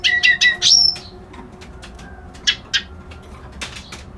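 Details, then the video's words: Reed warbler, locally named white-browed kerak basi, giving a quick series of rasping notes ending in a thin high whistle. Scattered short harsh notes follow after a pause, with a brief rattling burst near the end. "Suara Burung Kerak Basi Alis Putih"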